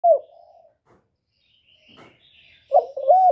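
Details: Male spotted dove calling to stimulate a female to lay: a mellow coo at the start, a faint higher chirp in the pause, then another rounded coo at the end.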